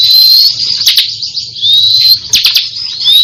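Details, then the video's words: Crystal bar-winged prinia in full song: loud, high, shrill whistled strands that rise slightly, broken by sharp clicking bursts and quick buzzy notes, with no other sounds. "Ciblek kristal gancor"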